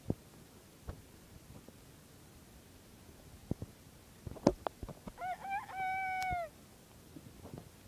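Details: Crow of a pet bantam rooster: a brief stuttering start rising into one drawn-out hoarse note, preceded and followed by scattered taps and clicks.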